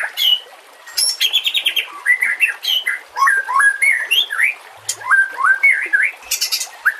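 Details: White-rumped shama song used as a tutor recording to train other shamas, set against nature sounds and trickling water; rich varied whistles, quick slurred rising and falling phrases, sharp high notes mixed with lower warbles in rapid succession.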